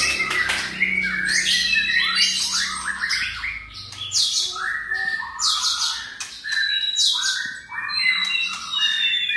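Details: White-rumped shama, the F strain, singing a dense varied run of sharp whistles, squawky notes and rapid chirps, many notes sliding down from high pitches, continuous for over nine seconds.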